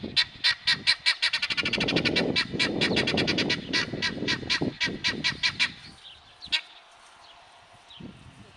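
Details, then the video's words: Male helmeted guineafowl song: a fast string of harsh, grating, rattling notes, nearly two a second, fading out after about six seconds over low rumbling background noise. "śpiew perlika"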